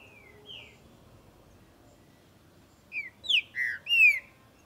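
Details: Saltator similis, the green-winged saltator, singing hot during breeding and tournament season. Faint downslurred whistles lead into a rapid run of four loud, clear, falling whistled notes near the end, over a quiet background.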